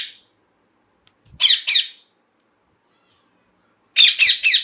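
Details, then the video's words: Harsh, grating parrot screeches: two rasping calls in quick succession, a silent gap, then a fast run of three more, loud and close in an otherwise quiet space. "Parrot Chirping Sounds | Natural Parrot Sounds | Parrot Calling Sounds"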